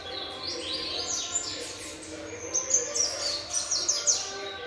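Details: Young variable seedeater, seven months old, singing a rapid series of high twittering notes and down-slurred whistles, roughly four per second, with soft background hum.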